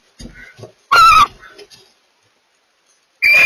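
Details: Barn owls mating give two loud, harsh, hissing screeches about two seconds apart, with softer chittering and rustling notes between them.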